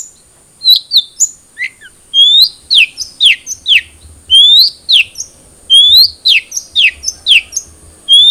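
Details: Long-tailed shrike (cendet trotol) song played so a captive bird will sing: loud, varied whistled slurs, mostly rising and falling sweeps, delivered in irregular quick phrases over a faint steady whine.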